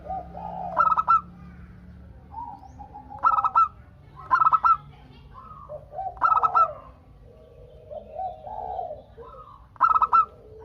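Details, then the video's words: Zebra dove of local Indonesian stock singing actively to prompt other doves to call back. Five bursts of rapid staccato cooing notes, some close together, with quieter lower coos from neighbouring birds filling the gaps. "Perkutut Lokal Gacor Untuk pancingan kutut perkutut agar saling bunyi BERSAUTAN"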